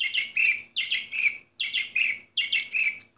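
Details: Song of an Orpheus breed canary, number 24 of 2014: four dense bursts of fast warbled, descending notes, each roughly three quarters of a second, rich and loud with brief pauses between.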